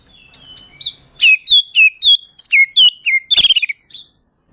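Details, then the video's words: Oriental magpie-robin, ngeplong song meant to call and provoke a rival bird: a fast run of about fifteen bright whistled notes, many dropping in pitch, some with clicks, ending in a rapid trilled flourish. "Suara burung Kacer ngeplong memanggil lawan bikin emosi"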